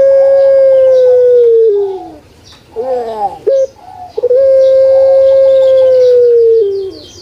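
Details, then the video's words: Kept puter pelung dove from Java, Indonesia, in full song: a long steady hooting tone falling slightly, a gurgling rolling break, a clipped note, then a second long drawn level tone; faint chirps of other birds behind. "PUTER PELUNG MANGGUNG"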